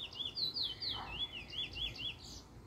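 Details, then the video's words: Young male Trinidad bullfinch, chestnut-bellied seed finch, in first black plumage, developing its song form, recorded 10/10/20: a rapid run of sweet whistled notes, each slurred up and down, tumbling in quick succession over a faint hiss. "Trini bullfinch first black picking a nice form"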